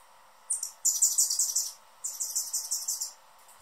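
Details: Hummingbird giving two bursts of rapid, high buzzy twittering, each about a second long, separated by a brief pause, over a soft steady background hum.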